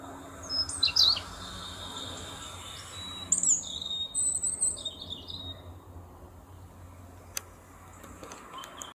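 European robin singing two short, high, liquid phrases of thin trills and sliding whistles, separated by pauses, over a faint low rumble.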